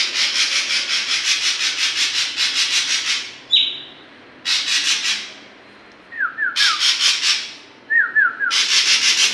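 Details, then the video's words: Young oriental magpie-robin, called saeran, learning its song and trying out learned phrases: long rhythmic harsh rasping bursts, then a short steady high whistle and two quick sets of descending slurred notes between further raspy passages. "Burung saeran abu gacor pastol belajar bongkar isian"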